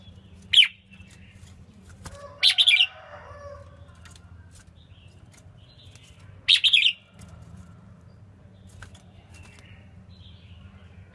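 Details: Female red-whiskered bulbul singing to stimulate males, three short bright chirping phrases spaced a few seconds apart over a steady low hum.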